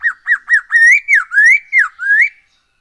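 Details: Black-throated laughingthrush song, used as a lure for other birds. Three short looping whistles lead into a flowing series of long swooping notes, each rising and then dipping, all loud and clear.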